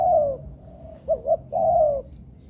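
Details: Long mellow falling coo from a captive spotted dove being trained in a man-made yard, followed by two short rounded notes and another extended downward-sliding coo.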